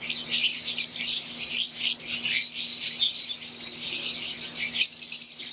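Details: A group of wild-type green Fischer's lovebirds, housed in an aviary with Euwing birds, chirps in a shrill, crowded chorus of overlapping high squeaks, briefly quieter near the end, over a constant low hum.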